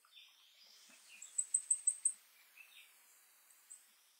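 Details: Shining sunbeam hummingbird in Los Nevados National Natural Park, Colombia: a quick run of five very high, thin chips evenly spaced in under a second, with faint hiss and a few soft scattered notes before and after.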